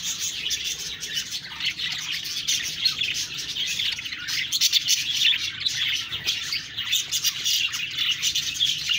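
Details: Chirping budgerigars keep up steady, high-pitched warbling chatter, a restless mix of squeaks, trills and short tweets with no pauses.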